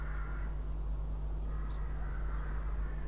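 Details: Northern goshawk guarding eggs at a nest in Riga, Latvia, on 6 April 2016: two broad, nasal, slightly drawn notes a second apart, with a faint high chirp between and a steady background hum.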